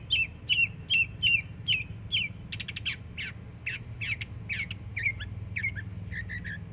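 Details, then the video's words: Yearling northern mockingbird in Florida: a series of repeated slurred whistled notes, then a switch to buzzier rasping notes and softer chirps, delivered in rapid sequence against low traffic-like rumble. "Yearling Florida Mockingbird Goes Hard 🎶💯 Beautiful Songs"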